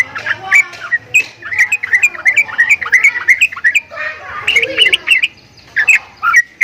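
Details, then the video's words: Javan myna uttering strange sounds, a dense jumble of chattering whistled and squeaky notes in quick irregular bursts, pausing briefly midway before resuming with sharper whistles. "JALAK KEBO BEESUARA ANEH"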